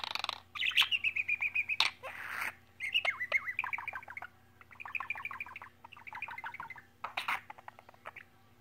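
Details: A pet bird chattering away in its own language: bursts of rapid high chirps and warbled twitters, a few harsh squawky notes and clicks, in runs separated by short pauses.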